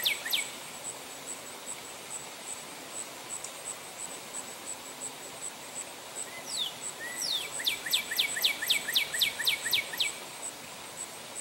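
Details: At St. Johns Conservation, a male northern cardinal sings a couple of falling whistled slurs, then a rapid, evenly repeated series of steep downward notes lasting about three seconds, with constant high-pitched insect droning behind.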